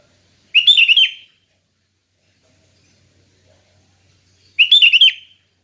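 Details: Sooty-headed bulbul song in a relaxed, clear style used for training other bulbuls: two short bubbly phrases of rapid warbled notes about four seconds apart, with silence between and no other sounds.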